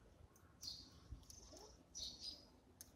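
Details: Eurasian tree sparrow feeding in the morning, giving a few short, bright high chirps spaced over a couple of seconds against quiet background noise.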